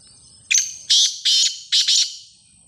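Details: Black francolin calling: a short sharp note, then a series of four loud, harsh, grating notes in quick succession, on a quiet background.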